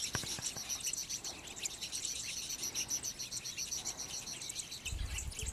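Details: Citron-headed yellow finches at Yavi, Jujuy, in May, a pair and flocks courting and feeding, chatter in a busy, overlapping stream of high, thin chirps and twitters, several birds calling at once with no pause.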